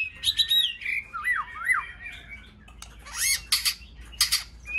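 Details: White-rumped shama in song training, singing in many voices: quick whistled phrases, looping slurs rising and falling, then harsh buzzy bursts and sharp chip notes near the end.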